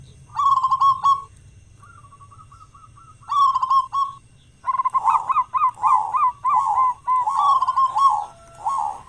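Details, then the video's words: Loud-voiced local zebra dove singing as a lure to prompt other doves to sing, morning and evening; bursts of quick, bubbling coos, a softer stuttered phrase, then a long string of rapid rolling coo notes, with low background rumble. "perkutut lokal gacor suara besar buat pancingan diPAGI dan sore"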